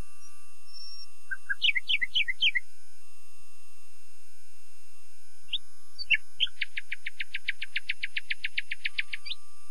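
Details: A common nightingale sings a cluster of crisp descending notes, pauses, then delivers a long, machine-gun trill of identical clicks repeated rapidly for about three seconds.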